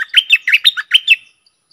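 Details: Red-whiskered bulbul kept as a decoy delivering a loud, lively string of about seven warbled, chirping notes in quick succession, bright and clear, ending in silence.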